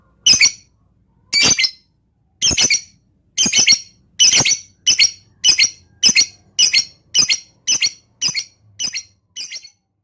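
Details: Lovebird 'ngetik' lure song with close pauses for provoking other birds: a steady series of short, high, scratchy chirps, about a dozen in ten seconds, speeding up toward the end.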